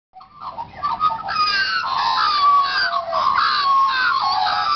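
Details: A family of Australian magpies on the Gold Coast, Australia, calls together in a loud, continuous chorus of flutey, warbling notes that slide up and down and overlap.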